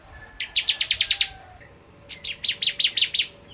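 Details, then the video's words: Bar-winged prinia, the 'Kristal' type of ciblek, singing in the rapid chattering 'ngentrok' style: two bursts of about seven sharp, evenly spaced high chips each, separated by a pause of under a second, over faint background hiss. "Ciblek Kristal Gacor Full Ngentrok"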